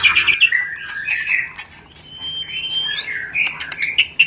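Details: White-rumped shama, a lure recording used to arouse breeding condition; rich warbled phrases with a long clear whistled note in the middle and sharp clicks scattered throughout.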